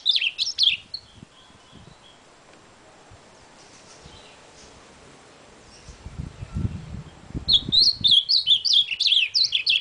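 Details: Ultramarine grosbeak with a short loud burst of tumbling whistles, a long quiet gap with faint background noise, then a second run of rapid, jerky whistled notes going up and down.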